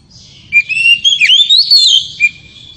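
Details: Oriental magpie-robin (kacer) singing its loud ngeriwik song to excite the female: a clear whistle swelling into a rapid warbling sweep, closed by a short separate whistle note.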